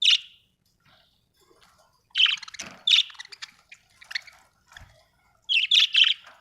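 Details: Budgie chirps: sharp, bright squeaky notes in small clusters with gaps of silence, some faint softer chatter between.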